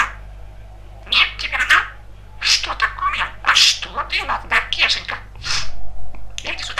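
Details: Talkative young male budgerigar kept indoors as a pet, chattering in a rapid run of high, scratchy speech-like syllables with short pauses and a steady low hum in the room.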